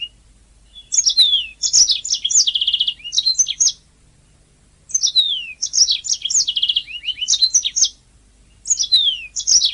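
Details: Canary singing on a long master recording made for training canaries, three phrases of downslurred whistles, chirp runs and short trills with quiet gaps between.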